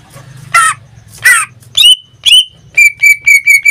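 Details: Caged pet greater green leafbird in full song: two harsh buzzy bursts, then clear whistled notes sliding down, ending with a run of five short repeated whistles with bright overtones, and a low hum underneath.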